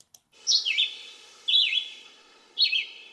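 Red-eyed Vireo song: three short, high, slurred whistled phrases, each dipping and rising, spaced about one second apart over a faint background hiss.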